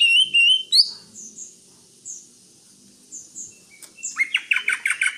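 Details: Greater green leafbird: a short warbled whistle at the start, spaced faint high notes, then a closing burst of rapid, buzzy chattering chirps.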